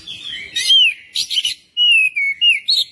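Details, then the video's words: Magpie-robin song played to prompt a bird to sing, a rapid run of clear whistled slurs gliding downward, interspersed with harsh scratchy bursts, in a short dense phrase. "Kacer langsung gacor 🔥 pancingan kacer biar cepat gacor dan ngobra"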